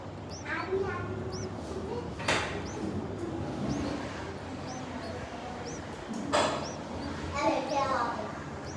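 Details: Hungry bulbul nestlings in a nest on their third day, begging: thin high upslurred squeaks repeated in loose series, with broadband rustling and thumps in the nest and low background hum.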